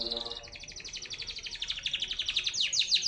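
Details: Grey canary singing a dense, fast, buzzy trill of repeated sweeping syllables that quickens and rises in strength over three seconds, opening with a few lower harmonic-rich notes.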